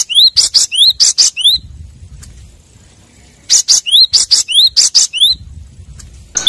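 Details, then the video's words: Wild Cinereous tit calling rivals: a quick series of sharp, high, rising chirps, a pause of about two seconds, then another similar rapid run of bright notes. "Suara burung gelatik batu pemanggil lawan di alam liar"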